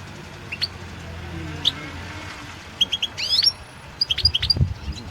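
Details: [4, 'Competition recording of a European goldfinch at the 2016 World Championship in Goldfinch Song. After a few isolated high chirps comes a run of quick, rising, tinkling notes, over a soft low rumble in the background.']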